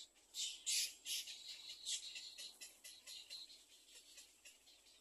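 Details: Little egret nestlings waiting to be fed in their second nest give a rapid series of hoarse, hissing rasps, loudest at first, then trailing into softer, quick scratchy repeats.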